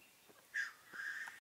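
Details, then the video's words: Black grouse displaying in the 2015 mating season, recorded from a hide: two harsh, breathy hissing notes, a short one and a longer drawn-out one, with a faint whistle in the background. "Parade du tétras lyre"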